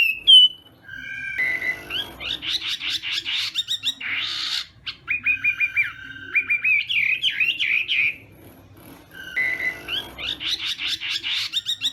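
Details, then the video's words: Chinese hwamei morning singing practice: a varied mix of harsh buzzy bursts, rapid trilled notes and short repeated whistles, with quiet gaps between song bouts. "Hoạ Mi Hót Đấu /hoạ mi hót sáng luyện giọng"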